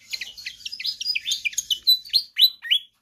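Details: A pied fantail's lively song: a continuous stream of quick, high chirps that builds toward the end into louder, clearer downslurred whistled notes, about four per second.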